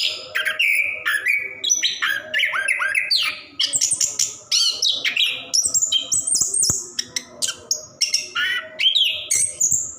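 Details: Caged Orange-headed thrush in continuous 'ngerol' song meant to coax silent birds into singing; quick varied whistles, rising slurs and buzzy high phrases follow each other almost without pause, with a faint hum underneath.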